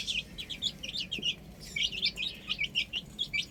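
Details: Young chickens on a roof giving rapid, thin high peeps in clustered bursts, many birds chirping at once.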